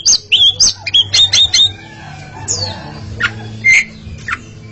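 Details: Two Oriental magpie-robins competing in song: clear looping whistles and rapid chip series, then harsher downslurred notes and a bright whistled phrase, separated by brief gaps.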